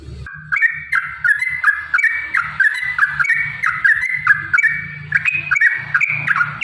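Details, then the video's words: Yellow-vented bulbul, used as a lure to make caged birds sing: a steady series of bubbly, slurred whistled phrases, each less than half a second, rising and falling, over a persistent low rumbling hum. "trucukan gacor TARUNG ROPEL PANJANG pancingan trucukan agar bunyi"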